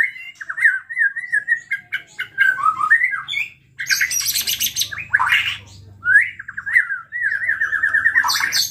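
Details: White-rumped shama song used as a lure to provoke other shamas to sing: wavering whistled phrases near one pitch, then a burst of harsh high scratchy notes, a short pause, and more rolling whistles. A faint low hum sits underneath.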